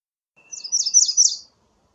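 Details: A high, twittering song phrase from an American redstart, a jumble of quick thin notes over about one second.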